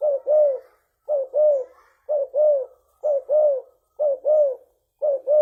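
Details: Spotted dove of the 'leopard' type, recorded as a lure, giving loud, low, hollow cooing phrases. Each phrase is a short note followed by a longer rolling coo, repeated about once per second against a silent background.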